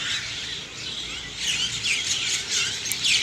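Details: Morning bird chorus heard as a steady wash of high chirps and twittering, with short whistled slurs rising out of the mix over a faint background hiss.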